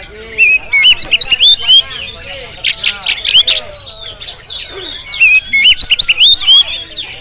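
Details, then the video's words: GoPro recording of a Jampang-type Oriental magpie-robin singing punchy clusters of short loud whistles in rapid bursts, each cluster followed by softer warbling and brief pauses. "Penampilan Kacer JAMPANG yang Tampil Menggoda"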